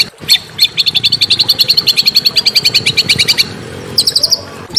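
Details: Small bird singing as masteran for Oriental magpie-robins: a long, rapid trill of high, even notes for about three seconds, then a short, higher burst after a pause.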